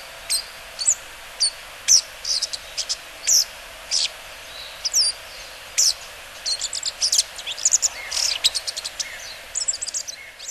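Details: Bull-headed shrike calling on the Mukogawa riverbed, Japan, on 14 September 2015: sharp, high, scratchy notes in irregular bursts, quickening into rapid chattering runs toward the end, over a steady faint hiss.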